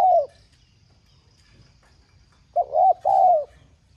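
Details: Spotted dove urging call, 'giọng son' voice, for stimulating kept doves; the end of one coo, a pause, then a complete phrase of short double notes and a long mellow closing coo.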